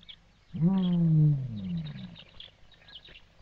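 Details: A male ostrich gives one deep, resonant, roar-like call of about a second and a half, steady then sliding lower, over quiet outdoor background in the midday bushveld heat, near a hen leaving her sand-scrape nest of about 18 eggs.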